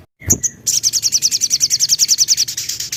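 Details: Lure song of a Javan cochoa, meant to set other birds singing: a brief high whistle, then a long, rapid, steady trill of crisp, very high notes, roughly seven per second, running to the end.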